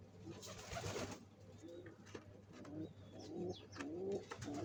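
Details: Pigeons building a nest before egg laying, soft moaning coos with gently rising and falling pitch, growing louder toward the end over rustling and faint thin squeaks.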